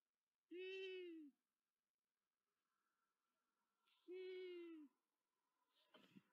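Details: Long-eared owls (Asio otus) at a nest in Tiszavasvári, Hungary, on 9 April 2024, as the male delivers mice to the female: two nasal, slightly falling squeals about three seconds apart over a faint hum.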